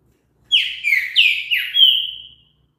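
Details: Song of a green-winged saltator, meant to prompt a listening bird to sing: five loud, rich whistled notes in quick succession, several dipping then rising, the last held longer and fading.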